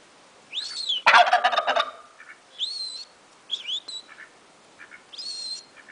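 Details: A turkey reacting to whistling bursts into a harsh, stuttering gobble between repeated human whistles, with soft short clucks in the pauses.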